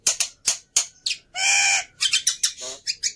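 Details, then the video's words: Black-winged myna fighter bird in high temper, meant for tutoring silent mynas: sharp scratchy strokes, then a long droning harsh squawk followed by more rasping chatter. "Burung Jalak Putih fighter Emosi Nya kelewatan || Cocok Untuk Masteran Jalak Bisu"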